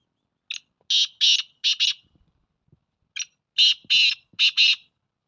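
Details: Black francolin voice recorded 12 February 2024: two phrases of loud, raspy, buzzing notes grouped in quick pairs and threes, separated by a short silence with a few faint clicks.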